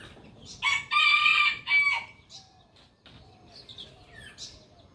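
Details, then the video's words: A rooster gives a strong crow of about one and a half seconds, a steady harmonic note ending in a drop, then faint clucking and brief chirps from other birds. "rooster crowing sound effect"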